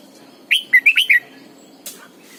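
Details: Caged decoy red-whiskered bulbul in morning song, double-note mature wild style, delivering one quick run of five clear whistled notes that bend up and down, then a brief faint note.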